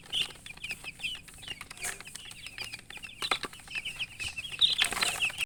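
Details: Newly hatched chicken chicks calling loudly: a steady stream of high, short peeps, roughly two to three per second, partly masked by scratching and knocking noises.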